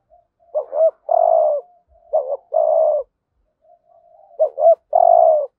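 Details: Spotted dove giving the full 'thúc gù' lure series in 'hạp bổi' voice to attract wild doves. Three phrases, each a soft lead-in murmur, a quick two-loop note and a long mellow coo. The surroundings are quiet.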